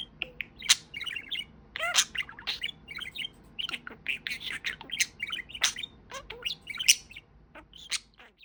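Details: Domestic budgerigar, a talking parakeet, keeps up a continuous stream of rapid chirps, warbles and buzzy chatter with mimicked-speech phrasing, peaks of sharp squeaks roughly every second, fading near the end, with little background noise.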